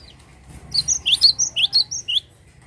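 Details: Cinereous tit singing energetically, starting after a quiet moment. It gives a quick run of about eight high, upswept chirping notes in close succession, then stops abruptly, leaving faint background hiss.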